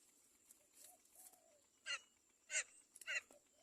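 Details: Great myna chick begging as its mother feeds it carefully; three harsh, broadband rasping bursts about half a second apart, with softer squeaky notes before them and a steady high whine behind.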